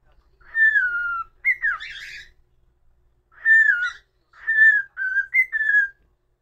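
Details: Domestic cockatiel whistling a tune: a long gliding downward note, a rough buzzy squawk, then three or four level whistled notes in a lilting rhythm.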